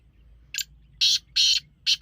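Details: Black francolin calling sound for attracting francolins: a short rasp followed by three loud, grating, drawn-out notes at roughly half-second spacing.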